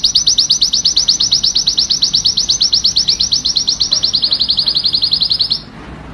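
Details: Male canary singing to stimulate the female to mate: a fast, even rolling trill of high, clear notes repeated about three per second, a slightly lower section near the end, then sudden silence.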